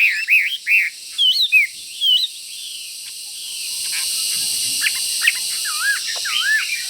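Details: Caged fighting Chinese hwamei near a rival bird gives four loud, looping whistled notes in two seconds, then quieter scattered whistles and slurred phrases over a steady hiss.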